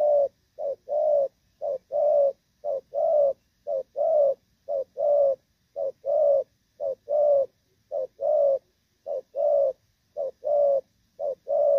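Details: Spotted dove in moult, Thorough Thổ Pha style with good lead-in and coo delivery, 3 June 2024: a long, regular run of about eleven couplets, brief note then full mellow coo, nearly one per second.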